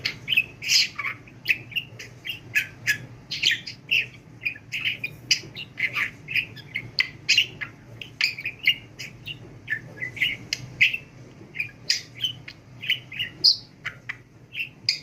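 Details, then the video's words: Budgerigar kept as a pet and trained to talk, babbling continuously: dense stream of scratchy clicks, squeaks and warbled syllables over fifteen seconds, with a faint low hum in the room. "NEFES ALMADAN KONUŞAN MUHABBET KUŞU"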